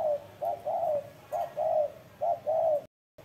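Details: Spotted dove giving a strong cooing call: a phrase of low, soft hooting coos, a short note then longer arched notes, repeated three times with brief pauses, clear against a quiet background.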